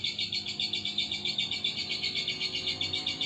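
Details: A lovebird delivers a sustained shrill chattering trill, notes pulsing roughly four times a second without a break, over a quiet low hum.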